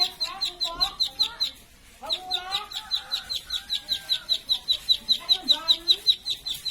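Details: Plain prinia delivers rapid, evenly spaced high chirps, around two and a half per second, with a brief gap midway; lower murmuring calls, possibly fowl, sound faintly behind.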